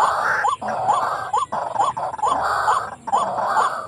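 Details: Lure call of a white-breasted waterhen for trapping beside residential houses, caught birds later released; short rising hooked notes about every half second, partly buried under a constant rushing hiss.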